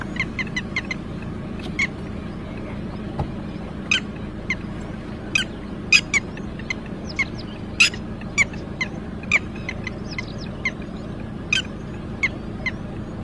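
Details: Red-wattled lapwing calling loudly after losing its chick: sharp, strident notes given singly and in quick clusters, repeated steadily throughout over a low background hum.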